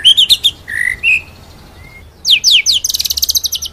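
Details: White-rumped shama song used as a training recording, full rolling song with sharp 'nembak' shots: bright varied whistles and rising slurs, a lower sweeping phrase, then quick upward strokes and a fast high trill.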